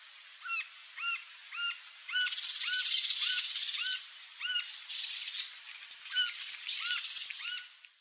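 A Green-barred Woodpecker gives a series of clear, arched whistled notes, roughly two per second, over a steady high hiss of insects.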